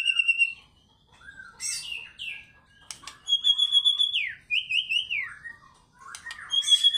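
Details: White-rumped shama in fighter-style song: pure clear whistles, long level and falling notes with sharp sweeps, separated by short pauses, very clean background.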